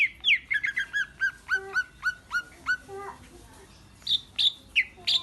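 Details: Singing male greater green leafbird on a master recording made for training birds: a steady series of clear downslurred whistles, roughly three per second, then a pause before loud, sharp high notes.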